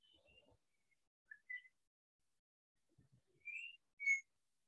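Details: A Yellow-backed Oriole sings a handful of clear whistled notes, some slurred upward, spaced unevenly with pauses, over faint low rumbles. The song sounds like a man whistling while walking down a trail.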